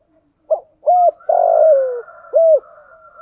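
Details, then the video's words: Thunder-voiced decoy spotted dove cooing to provoke wild doves in the rainy, windy season: a short note, a hooked coo, a long falling drawn-out coo, then a final hooked coo over a faint steady tone. "Chim cu gáy cườm thúc gù bài bản, giọng gáy hay kích bổi hiệu quả mùa mưa gió"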